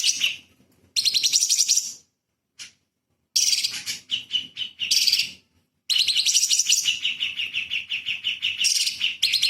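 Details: Light-vented bulbul in energetic rapid-fire song for magpie-robin training: three phrases of fast chattering trills mixed with lower sweeping whistled notes, separated by short gaps.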